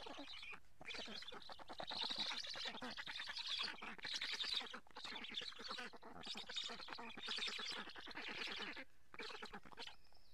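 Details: From a live camera at a black stork nest in Karula, Estonia, during a July fish feeding: a long stream of rasping, quacking calls in rapid pulses, with brief breaks.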